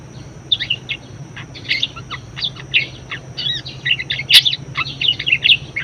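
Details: Budgerigar warble, a recording for prompting and tutoring other singing birds: irregular bursts of squeaky, chattering notes, high and metallic, with a sharp click partway through and a soft background hum.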